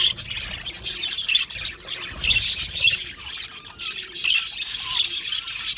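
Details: Budgies in an aviary colony singing and chirping: a mix of squawky notes and bright high chirps, dense warbling that swells and dips, with a few short descending whistles near the end.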